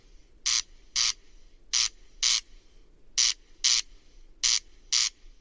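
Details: Corncrake singing, a species that sings mainly at night: dry, rasping double notes, crex-crex, always exactly two, each pair repeated about every one and a half seconds with almost no variation.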